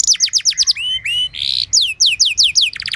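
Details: Canary giving a lavish training song to get other canaries singing: rapid descending whistled notes, rising slurs, a brief harsh buzz, then another run of quick falling notes.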